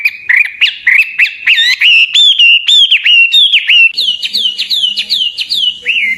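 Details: Hwamei in loud full song, for training songbirds: a rapid string of ringing whistled notes, each sharply slurred downward, repeated about three to four times a second.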